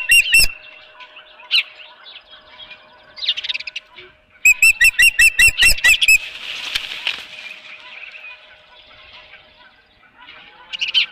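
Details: Osprey at a ranch nest on 23 April 2018, morning fish delivery: wingbeats and scattered chirps, then a burst of about eight quick, loud whistled chirps, followed by rustling and faint calls.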